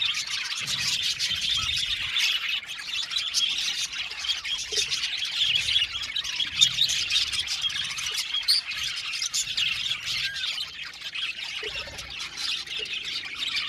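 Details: Australian budgerigars in an aviary colony fill the air with long, unbroken chirping: layered high twitters, warbles and sharp squeaks from many birds, with intermittent low thuds.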